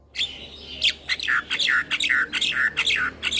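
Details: Black-winged myna full song for tutoring and coaxing reluctant mynas to sing: dense, loud, buzzy phrases with descending slurred whistles, delivered in a continuous rapid stream.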